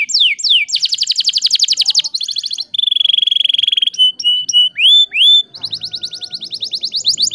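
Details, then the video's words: Canary lure song for reviving silent canaries varies quickly: falling sweeps, a fast dense trill, a steady buzzy rattle, short separate whistles and rising slurs, then another rapid trill over faint low noise. "PANCINGAN KENARI GACOR TERBARU AMPUH ATASI KENARI MACET BUNYI"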